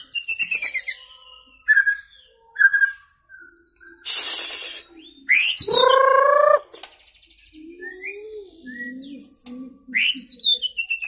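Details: Young white-rumped shama just out of juvenile plumage delivers fill-in imitations from one perch: fast ticking series, short slurred whistles, a rough hissing burst, a loud wavering buzzy note, low warbles, then more rapid ticks.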